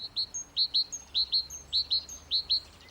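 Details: Great tit singing in a garden on a mild spring day gives bright, ringing two-note phrases, a high note then a lower one, about three per second; such song is mostly given by males to defend territory and attract females.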